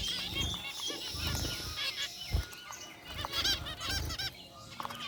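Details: Zebra finches in an aviary cage, a flock including a white bird, giving nasal trumpeting beeps over a hissy, rumbling background, calls overlapping irregularly.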